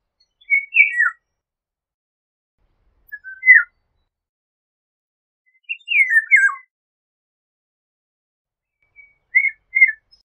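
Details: Melodious whistled phrases of a Eurasian golden oriole, four separate short fluty motifs with downward slurs, spaced roughly every two to three seconds, with silence between them.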